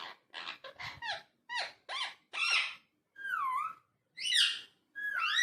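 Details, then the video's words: Indoor talking parrot producing a series of separate squeaky, speech-like syllables about once a second, including upswept and dipping whistled notes. "Talking Parrot"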